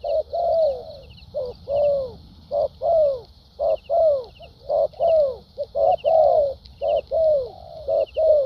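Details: Spotted dove, a newly caught wild bird with a strong fighting temperament, singing structured cooing in the lèo dặm and thúc gù styles: short low cu notes, each followed by a longer downslurred coo, repeated briskly over a steady high hiss.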